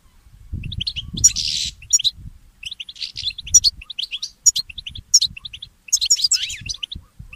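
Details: Mule goldfinch, a goldfinch hybrid, singing in the early morning: high chirps and trills, a buzzy rasping passage early on, then a descending twitter near the close.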